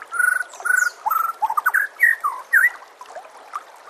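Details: White-rumped shama singing, recorded as training material for caged shamas: clear, mellow whistled phrases, some held and some sharply slurred up or down, repeated about twice a second. A soft background of running water is present.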